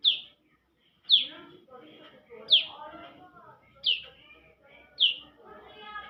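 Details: Chatty young bar-winged prinia: five piercing, downward-sweeping notes spaced roughly a second or more apart, each trailing off, with soft lower warbling filling the pauses.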